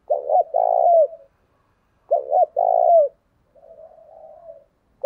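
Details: Decoy spotted dove used to lure wild doves, cooing clearly: two low, hoarse phrases, each a quick double note then a longer rolling coo, about two seconds apart, then a softer trailing coo and the start of another phrase. No other sounds.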